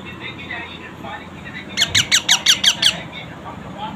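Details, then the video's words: A pet parrot crying: a quick burst of seven harsh, ringing squawks about a sixth of a second apart, set against a steady low background hum and murmuring. "parrot crying my parrot"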